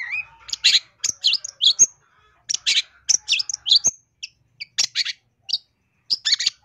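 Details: Masteran recording of a lively long-tailed shrike packed with varied phrases, meant for luring birds: loud, harsh chattering bursts and sharp high notes in irregular clusters separated by short pauses.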